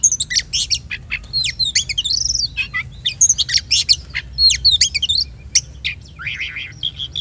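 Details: Oriental magpie-robin song used as a lure to provoke other birds into singing: a rich, varied run of sharp high whistles, chirps and quick slurred notes tumbling one after another with short pauses.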